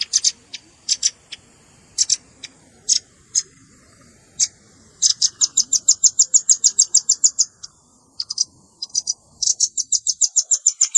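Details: Red-billed scimitar babbler calls combined with juvenile calls for luring birds: high, dry chips, first scattered, then fast regular runs of about three per second, broken by brief pauses, on a quiet background.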